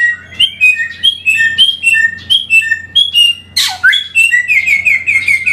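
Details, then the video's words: Hair-crested Drongo in lively, loud song used as training or lure audio: a lively run of clear, varied whistled notes about a second apart, broken midway by a harsh rasping burst, over a faint steady hum. "burung Samyong gacor"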